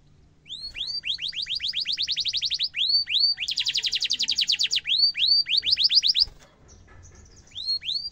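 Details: Canary with a rolling song for young canaries to learn: fast runs of rising whistled notes, a dense high trill, more rising notes, a short pause, then a final pair of rising whistles.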